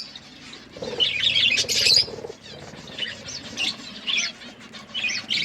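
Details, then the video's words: Budgerigars chirping while eating food: bright, warbling chirps in short bursts, loudest around the first two seconds, then separate squeaky notes roughly every half second, with low rustling underneath. "Budgies eating food birds chirping sounds"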